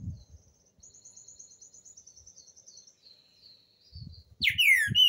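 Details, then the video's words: Green-winged saltator song for teaching young birds. A thin, high, fast trill runs in the background for several seconds before a loud, rich, downward-sliding whistled phrase bursts in at the end, over low knocking sounds. "Trinca Ferro canto para ensinar filhote"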